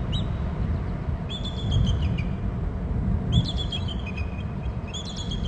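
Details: Two wild bald eagles calling as they fly on a chase through their nest territory on Hornby Island, picked up by a nest camera. Thin, high chittering runs of piping notes come in bursts about every two seconds over a steady low wind-like rumble.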